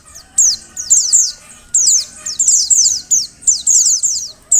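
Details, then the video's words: Calling female Oriental white-eye, used to prompt males to sing: sharp, high, falling chirps in tight groups of two or three, bursts about every half second, with a quiet low hum behind. "Suara Panggilan Burung Pleci Betina. Agar Pleci Jantan Gacor"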